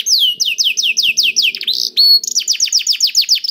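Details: Canary song for prompting other canaries into song: a steady run of descending whistled slurs about five per second, a short harsh burst and pure tone, then a fast series of sharp downward notes, faint hum beneath.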